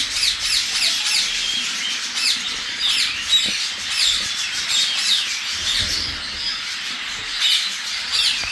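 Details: Angry grey parrots in a group, with overlapping rasping squawks and brief whistles in uneven bursts, the calls rising and falling in loudness, and a few sharp clicks.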